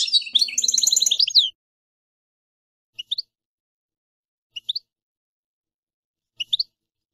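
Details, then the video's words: European goldfinch with a dense, jingling burst of twittered song lasting over a second, followed by three separate short doubled chirps spaced a second or two apart. "European Goldfinch Songs"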